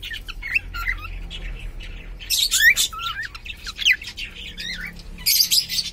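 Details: Pet cockatiel of uncertain sex, the owner unsure whether male or female, giving a run of short whistled notes that sweep up and down, with a brief harsh burst midway and a noisy rasp near the end.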